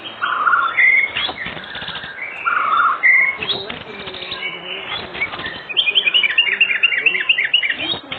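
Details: White-rumped shama singing in the evening to prompt other shamas: short buzzy bursts and scratchy phrases separated by pauses, closing with a rapid series of bright, bouncing whistled notes.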